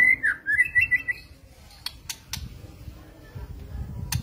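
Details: White-rumped shama whistling a quick run of clear, slurred notes for about a second, then quiet with sharp clicks and low rumbling background noise.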